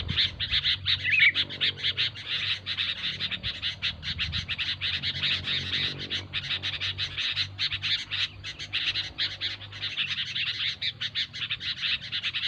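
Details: A noisy group of sooty-headed bulbuls, recorded as a lure for catching the species, keeps up a continuous stream of rapid, overlapping chirps and short whistled notes with no pause, over a low background rumble.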